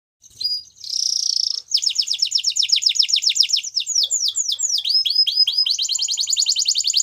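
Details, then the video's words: Belgian canary singing: a short buzzy note, then a steady trill, then fast rapid rows of downward-sweeping notes, some longer swooping slurs, and closing with a quick repeated trill. "Canary Bird Singing | Belgian Canary"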